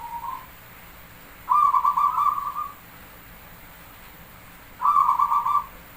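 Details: Perkutut, or zebra dove, from Java singing with counted beats: a brief opening coo, then two loud rapidly pulsed cooing phrases about three seconds apart.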